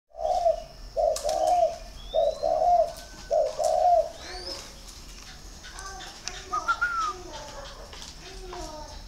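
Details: Spotted dove of the northern type from a breeding farm in Ba Vì, Hanoi, northern Vietnam: four low, mellow, slightly rising-then-falling coo phrases in the first four seconds, then fainter higher whistled calls from other birds.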